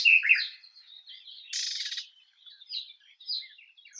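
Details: Garden warbler (Sylvia borin) sings a rapid, high, varied warble of chattering and fluty notes, with a brief harsh burst midway; no other sounds.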